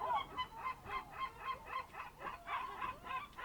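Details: Birds at a fishing harbour on the Ionian Sea by Amvrakikos National Park, Ambracian Gulf, Greece, early morning 07:40 on 27 March 2026: loud nasal honking notes repeated about four times per second in a steady chattering series.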